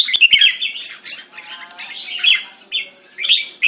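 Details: Red-whiskered bulbul in Singapore captivity, in French molt, competing in song with other caged birds: short bubbly warbled phrases and chirpy notes in separate bursts, overlapping voices, a few sharp clicks at the start.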